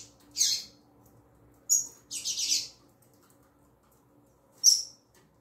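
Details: Female double-collared seedeater in tui tui zel zel calling: bright, very high notes, one a quick run of three chips, followed after a pause by a final sharp chip, with a steady faint hum.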